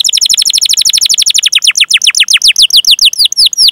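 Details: Canary in a long rolling 'cuit cuit' song, used as a master recording to coax other canaries into singing: rapid high downslurred notes repeated about ten per second, slowing into longer separate swooping notes toward the end, close and loud.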